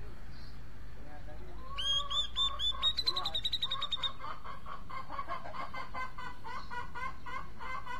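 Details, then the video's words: A Grey-cheeked Bulbul gives a loud, rapid song of harsh, nasal notes, about twice a second, over a low background hum, seemingly singing for a partner to sing along with. "Cucak jenggot mencari teman karaoke"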